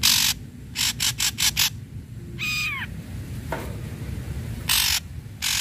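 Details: Ashy Drongo singing energetically to provoke silent or stuck drongos into song. Rapid harsh rasping notes open, followed by a descending, harmonic-rich whistled slur, then more loud buzzy rasps.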